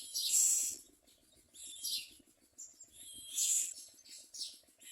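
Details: Common myna chicks in a nest giving shrill, hissing high-pitched calls in bursts about every one to one and a half seconds, with faint low rustling between bursts.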